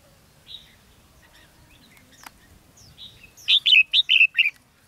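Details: Red-whiskered bulbul decoy for trapping in Ha Nam, Vietnam, recorded 13 November 2016: scattered soft chirps, then a fast bright run of six loud, slurred, whistled notes in about a second, falling slightly at the end.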